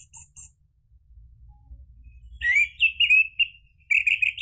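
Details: Lure song of an orange-headed thrush, meant to make a silent bird reply and sing freely. After a brief high note and a pause, loud, fluid, whistled warbling phrases run together, sliding up and down, over a faint low hum.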